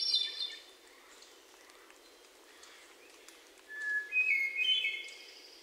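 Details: Hermit thrush song from Sudbury, Massachusetts, June 29, 2023, taken on a Sony PCM D50 with lavalier mics: after faint chips from other birds, a lower whistled note leads into rising, ringing flute-like phrases.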